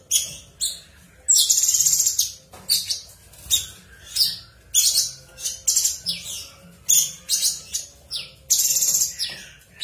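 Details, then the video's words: Long continuous ngebren song of a cucak cungkok, with closely packed high chirps and rasping bursts repeating steadily for nearly ten seconds. "tembakan suara burung cucak cungkok ngebren"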